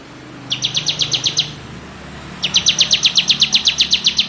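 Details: Bar-winged prinia, crystal type, ngebren style: a short run of quick sharp high notes, a pause, then a longer steady burst of chips, over a soft hiss and low hum.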